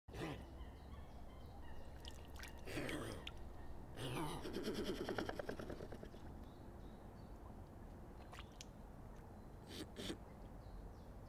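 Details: Swan in Britain: a few harsh, nasal honks and a longer buzzy, trumpeting run in the middle, over a steady low rumble of background noise.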